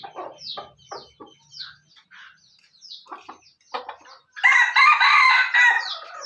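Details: Speckled burik red junglefowl from Aceh: sparse clucks and high, falling chirps with short pauses, then a sudden loud, harsh crow about a second and a half long.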